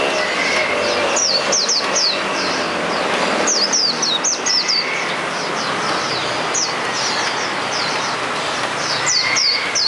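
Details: Wild Hume's white-eye giving 'ngalas' song: scattered clusters of high, sharp, downward-slurred chirps in short bursts, separated by pauses, partly masked by constant loud rushing background noise.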